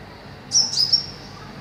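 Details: A captive greater green leafbird kept above a pond, where it seems livelier, gives a brief half-second run of thin, very high whistled notes ending in a sharp high click.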